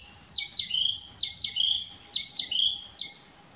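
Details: Narcissus flycatcher (Ficedula narcissina) singing from a dead branch on 6 May 2016, moving between song posts: a clear, high phrase of sharp notes and a sliding whistle, repeated about every second, over faint background hiss.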